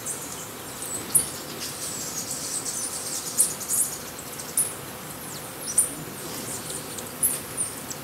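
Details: White-necked jacobin hummingbird at Buenaventura Reserve, Ecuador: very high, thin, sharp tsip notes at irregular one-to-two-second intervals, over a steady high insect hiss.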